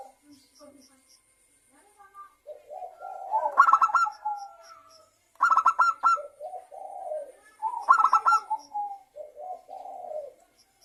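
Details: Zebra dove singing in a lure recording meant to get other zebra doves singing. Three phrases each open with a soft low gurgle, then a quick string of bright, clipped coo notes, with quiet gaps between phrases.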